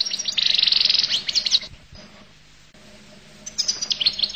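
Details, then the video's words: Collo goldfinch song: a dense, fast buzzy twitter for just over a second, then a near-silent gap, then another burst of high chattering notes. "تغريد حسون القل"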